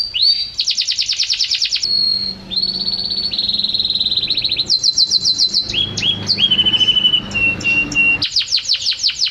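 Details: Singing canary, recorded as a master song, moving between tours: a bright, rapid rattle and a held whistle, then smoother buzzy trills. Sweeping chirps lead into a long, slightly falling trill, ending with another fast, sharp rattle.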